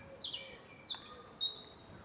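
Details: A European robin in the Hofgarten, a quiet oasis amid city noise, sings a calm, very fine song of thin, very high tinkling phrases with falling and rising slurs and regular pauses; faint background hiss. It also sings at night and is often mistaken for a nightingale.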